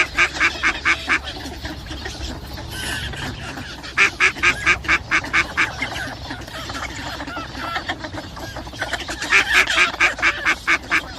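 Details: Mallard, a migratory duck, calling in bursts of rapid harsh quacks, several per second, in three loud runs separated by quieter chatter, with other ducks calling in the background.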